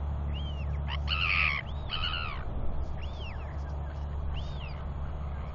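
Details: Royal albatross at a nest area where an adult male is feeding and preening its chick while chicks wheee nearby: harsh, nasal braying calls around one to two seconds in, then a few thin arched squeaks, over steady low wind rumble.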